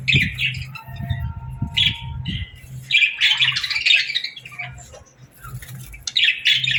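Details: Morning chirping of budgerigars: clusters of sharp, scratchy chirps and squawky notes in uneven bursts separated by short pauses, over a low background hum.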